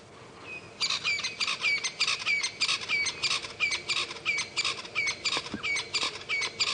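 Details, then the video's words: Two francolins call loudly together in the early morning on calm, windless savanna: a fast, harsh, rattling chatter repeated without pause for several seconds. First thought to be crested francolins; possibly Natal francolins instead. "Let's try to find this francolin that's calling. It sounds like a crested francolin."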